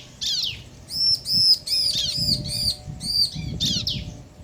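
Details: Bar-winged prinias, male and female answering one another to provoke rival birds; rapid series of high ringing arched notes mixed with rasping downward sweeps, light low rumble underneath.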